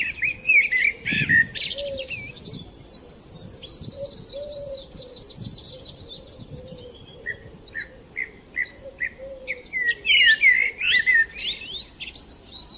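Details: Morning chorus of chirping sparrows: dense, rapid high twittering and quick chirps overlapping at the start and end, with thinner spaced chirps in between and a soft low hum underneath.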